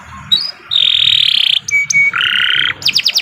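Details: Atlantic canary in long, vigorous gacor song, meant as a lure for young or stalled canaries: a high thin note, then a sustained flat buzzy tour, two pure whistles, a lower buzzy roll and quick descending chips at the end.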